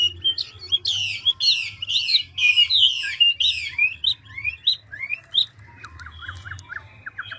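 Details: Old wild-caught Chinese hwamei, a large bird singing continuously with rapid voice changes: loud buzzy downslurred notes repeated in a quick series, then whistled rising phrases and a fast run of short clipped notes, with low hum beneath.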